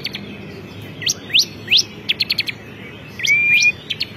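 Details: Champion ciblek kristal (bar-winged prinia) calling. Scattered sharp upswept notes are mixed with a short cluster of quick high ticks, and a brief level whistle comes near the end.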